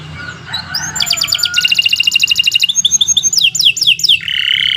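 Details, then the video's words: Canary in full song, recorded as a tutor for other birds: soft thin notes, then a dense metallic trill, bright falling whistles and a closing buzzy rattle, with a low background hum. "Kicau Burung Kenari 123 II LUAR BIASA GACOR PANJANG Cocok untuk Masteran"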